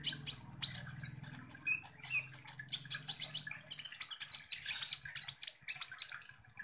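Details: Sunbird song used as a lure to provoke konin birds: sharp high chips and short whistled slurs in rapid volleys, over a faint low hum early on.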